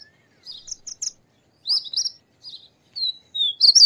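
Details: Painted bunting, a small ground-foraging bird of the U.S. Gulf Coast, singing: short bursts of high, sweet warbled notes in separate phrases with brief silent gaps, ending in a brighter, louder jumble of quick notes.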